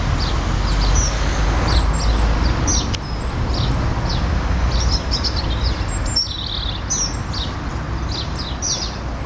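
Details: Goldcrest (Regulus regulus) feeding in Norway spruce in a Hull front garden gives very high, thin, needle-like call notes several times a second over distant traffic rumble; sparrows, dunnock, robin and collared dove in background; males sing there in spring.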